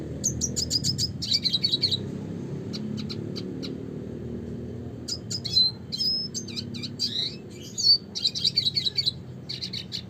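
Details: Classic red siskin song: clusters of high chirps and twitters, then a quieter pause, then more bright trilled phrases and sharp notes, with a soft low background hum.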